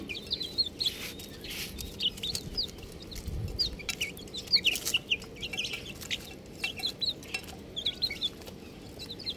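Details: Several baby chickens calling, high piercing peeps in irregular bursts, some doubled, mixed with soft clicks and rustling movement.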